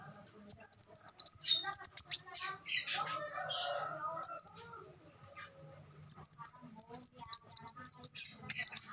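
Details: High, rapid twittering of a black sunbird, used to tutor cage birds, breaks off in the middle for a softer, lower chattering sound before the long, shrill trilled phrases return.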